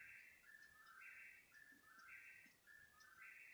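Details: Bird calling at 3 in the morning, keeping on for about thirty minutes. It gives a steady two-part whistled phrase, a higher note stepping down to a lower one, repeated about once a second over soft background noise.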